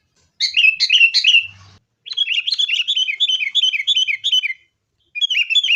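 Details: Sooty-headed bulbul fighting song meant to make caged bulbuls sing: fast chattering phrases of bright, slurred chirps, one long continuous run after a brief pause, then a final short burst.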